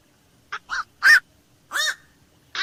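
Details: Black-crowned night heron at night uttering a few hoarse, nasal squawks, one short, then longer grating croaks, each standing out clearly against silence.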